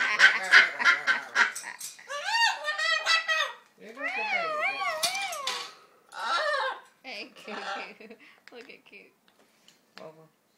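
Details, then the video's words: A macaw mimicking speech very fuzzily. Rapid choppy raspy sounds open, followed by undulating, wobbling tonal syllables with repeated rises and falls, then fading clipped fragments and quiet near the end. "Macaw talking"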